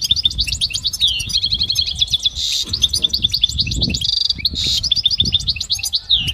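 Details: A goldfinch sings continuously for training, with fast liquid twitters and chattering notes, interrupted by two short harsh buzzy bursts, steady and bright throughout against a faint low hum.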